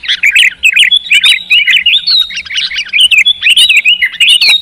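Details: Sooty-headed bulbul (kutilang) song used to get a reluctant bird singing with fighting spirit; continuous bubbly, warbling chirps and quick twisting whistled notes with little pause.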